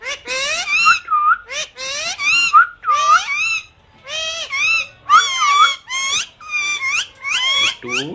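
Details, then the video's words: Talking pet parrot (tota) repeating mummy again and again in quick harmonic, speech-like bursts, each word ending in a bent whistled tone, with short gaps between phrases. "mumy mumy bolne wala tota"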